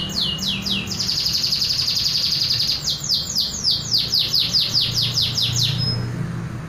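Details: Local canary performing its original song without imitations: a long rapid rolling trill, then a run of repeated upswept notes about four per second, and a brief thin whistle at the close.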